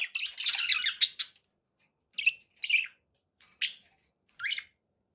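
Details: Captive budgie giving a rough, scratchy warble at first, then separate short chirps and squawks spaced by gaps of near silence.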